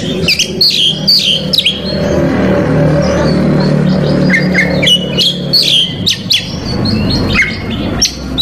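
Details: Oriental magpie-robin (Copsychus saularis), song: provoking rival males.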